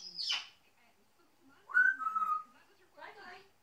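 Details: A male African grey parrot chatting to himself in three short bursts: a harsh downward squawk, then a clear level whistle, then mumbled speech-like sounds.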